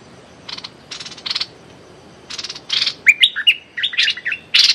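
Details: Streak-eared bulbul decoy calling toward a captive young female in a trapping setting. Several short harsh, rasping bursts spaced apart, then clear upslurred whistled chirps and another scratchy note.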